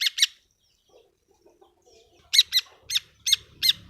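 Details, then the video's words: Long-tailed shrike lure for a bird that is quiet or stressed: harsh, rasping squawks, two quick ones, a pause, then five more in an even series. "pancingan cendet yg mles bunyi dan stres"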